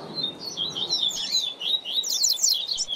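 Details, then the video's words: Double-collared seedeater tutor song for training young birds. A dense, fast jumble of high whistled slurs builds into a rapid, very high trill-like sequence at the end. "Manejo de Fibra do Seu Coleiro ou Papacapim - Coleiro Professor Aprendizado"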